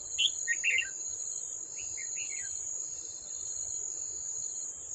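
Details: Wild red-whiskered bulbul, old and aggressive, calling at a decoy trap on 18 July 2024; quick tumbling chirp phrases twice in the first seconds, then steady shrill insect buzz with rapid clicking.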